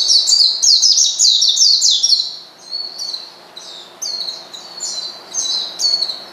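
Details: Oriental white-eye calling a rival to rile it: a rapid, loud run of high sliding chirps, followed by spaced, softer twittering phrases repeated about once a second.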